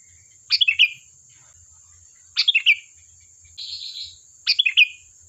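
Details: Three crisp phrases of quick falling notes from a sooty-headed bulbul singing to call up replies, separated by a soft buzzy warble, over a steady high-pitched hiss.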